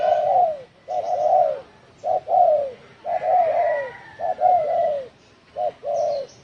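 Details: Spotted dove, "đồng thổ sấm" style call meant to stir up other wild doves, 2020. Mellow paired coos, each a clipped note followed by a drawn-out falling one, repeat steadily. A faint higher whine sounds in the background.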